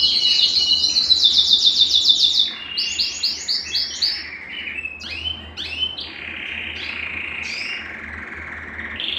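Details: Belgian canary singing to warm up males and bring hens into breeding condition, opening with a fast, even series of bright notes, then rising and falling rolled phrases and a long buzzy sustained trill.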